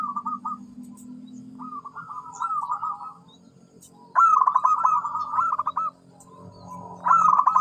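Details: Zebra dove song in several phrases, each a fast stuttering run of coos at a steady pitch, with a low steady hum underneath. Later phrases are louder.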